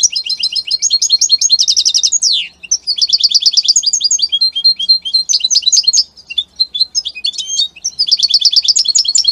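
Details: An Italian European goldfinch pours out an energetic, high-pitched jangle of quick twittering phrases, rattling trills and a downward-slurred note, with barely any gaps.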